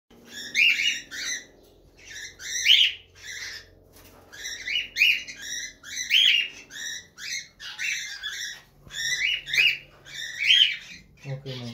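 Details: A pair of breeding cockatiels mating give bursts of harsh, rasping chirps, repeated every second or two.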